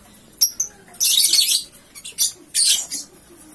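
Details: Lovebird, three months old, ngekek straight after waking: a couple of thin high chirps, then a loud rasping burst of fast chatter, a short squeak and a second harsh burst.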